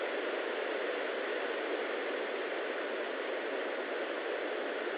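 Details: Steady hiss of static from a nest camera, with no animal sounds.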